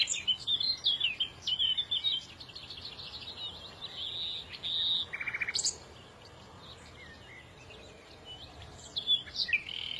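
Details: Mixed chorus of small birds: a run of quick high twitters and slurred whistles, a short dry rattle midway, a quieter stretch of faint chirps, then more high twittering near the end, with steady background hiss.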